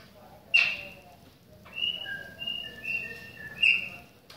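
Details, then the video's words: Chopi blackbird song in rain, a sharp opening note followed by a run of level whistles alternating between a higher and a lower pitch, ending with another sharp note, over a faint low background. "PÁSSARO PRETO CANTANDO NA CHUVA !"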